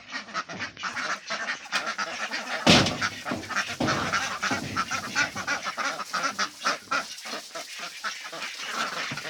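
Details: Many ducks at a duck farm in a loud, continuous racket of rough quacks, rapid and overlapping, with a sharp knock partway through.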